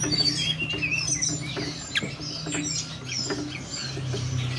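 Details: Lure of mountain forktail song to prompt birds to sing and come into breeding condition: high, thin whistled phrases and short chirps repeated irregularly, with a strong low hum throughout.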